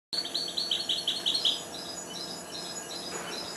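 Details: Four-month-old goldfinch hybrid that has just begun to sing: a quick run of high, twittering trilled notes in the first second and a half, then fading into softer, scattered twitters.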